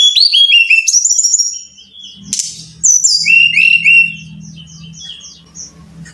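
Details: Brown-chested jungle flycatcher song meant to train caged birds to sing: quick cascades of high whistled notes, each slurring downward, then softer twitters over a low steady hum, with a brief noisy burst between phrases.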